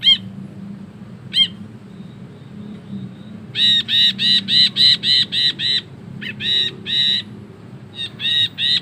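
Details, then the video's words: Ashy bulbul giving a long cackle: after two isolated harsh notes, a fast run of about eight grating, arched notes, then a brief gap and another rapid burst. Soft low-pitched background noise throughout. "BURUNG BRINJI KELABU GACOR NGEKEK PANJANG"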